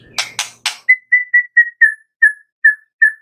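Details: White-rumped shama giving three harsh, scratchy notes, then about nine clear, slightly falling whistles at a steady, unhurried pace; a morning song used to lure other shamas into singing.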